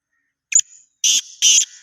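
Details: Black francolin giving a short harsh call: a thin high note followed by two loud grating buzzy bursts, against silence.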